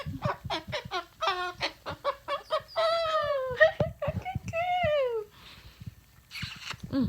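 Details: Captive umbrella cockatoo singing "good bird" in a series of clipped, voice-like notes. These give way to longer harmonic phrases that rise and then slide downward, followed by a quiet pause and a soft rustle.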